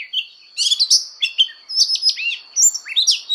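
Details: Fighting song of an Oriental magpie-robin in voice training. Short clusters of bright whistled notes, sweeping slurs and a clear downward-arching whistle come in quick bursts, with a thin steady high tone behind.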